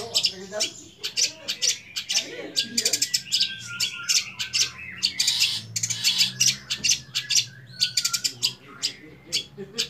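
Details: Young long-tailed shrike with mimicked phrases: a busy, nonstop mix of scratchy bursts, clicks and short whistled notes, shifting quickly in pitch and texture, over a faint low hum.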